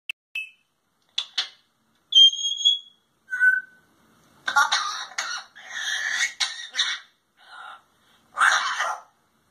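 An African grey parrot gives a few clear, pure whistles and beeps, then bursts of raspy, speech-like mimicked talking.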